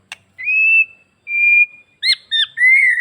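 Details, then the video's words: White-rumped shama from Bali singing a lively song meant to provoke other shamas to answer: long clear high whistles held steady, then quick slurred and broken notes. "MURAI BATU BALI... suara gacor full isian BIKIN MURAI APAPUN LANGSUNG NYAUT"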